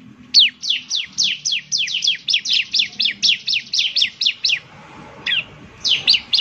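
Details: Bar-winged prinia song used as a lure: a steady series of loud, high, downslurred chirps, roughly three per second for four seconds, then a pause and a few more notes.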